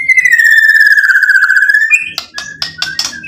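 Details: White-rumped shama (murai batu) singing as a lure to provoke a reply: a long, pure whistled note sliding slowly downward, then a burst of sharp clicking chirps.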